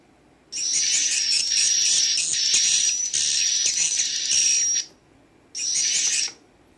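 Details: Young swiftlet chicks give dense, high, rapid chirping twitters in two bursts separated by a short silence, with a steady thin whistled tone running through the first burst and adult bird sounds mixed in.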